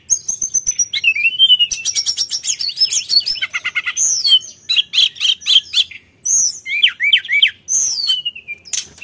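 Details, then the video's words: Energetic Sulingan song used as a lure: long runs of sharp high notes, rapid stuttering trills and looping whistled slurs follow one another almost without pause. "PANCINGAN BUNYI SULINGAN GACOR"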